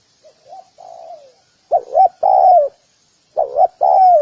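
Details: Spotted dove giving a luring call for wild doves; soft, quiet cooing notes open, then two loud phrases, each a quick double coo followed by a drawn-out falling coo.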